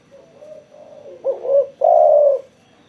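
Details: Spotted dove (tekukur) singing actively after sunbathing: a soft low introductory coo, then two louder, fuller coos, the last long and steady, in a quiet setting.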